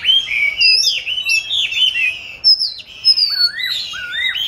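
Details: Caged oriental magpie-robin raised from 29 July 2020, recorded 22 March 2021 hung in an ideal spot for song practice; clear melodious whistles sliding up and down, a brief pause, then lower falling slurred notes.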